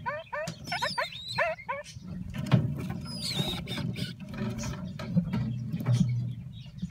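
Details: Red-crowned parakeet (kakariki) chicks in the nest, bred in captivity, give a quick run of about six squeaky, wavering, rising notes over two seconds; a low rumble of handling noise follows.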